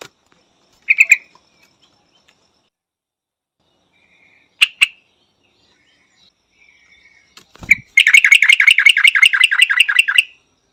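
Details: Yellow-vented Bulbul in Thailand: scattered pairs of sharp notes separated by quiet gaps, then a dull thud and a rapid two-second chatter of bright, bell-like notes repeated several times a second.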